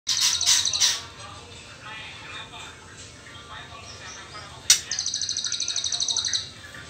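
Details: Juvenile white-rumped shama in the trotol stage, before the pastol moult. Three loud, hissing, broadband bursts open the clip, followed after a quiet stretch by a fast, even rattle of high ticking pulses lasting about two seconds.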